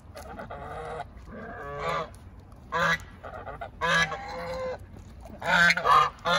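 A domestic goose gives loud, nasal, brassy honks in short irregular bursts.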